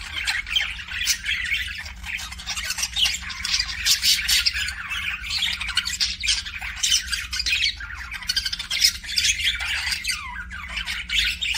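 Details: Budgerigar kept as a pet giving kissing sounds: nearly twelve seconds of busy, raspy warbling packed with sharp squeaks and clicks, with a faint low hum underneath.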